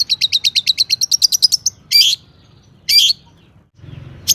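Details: Long-tailed shrike singing full of mimicked fill notes, used as a lure to make other shrikes sing: a fast series of about fifteen sharp high chips, then two separate buzzy rasping bursts and a final short note.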